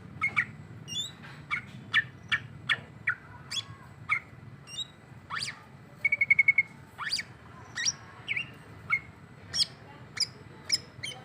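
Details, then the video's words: Greater green leafbird (cucak ijo) singing in the Ondo Rante style with jamtrok character, worked up against a rival: rapid sharp whistled notes and quick rising and falling slurs, plus a brief stuttering trill. "ijo Ondo Rante bikin emosi lawan karakter jamtrok"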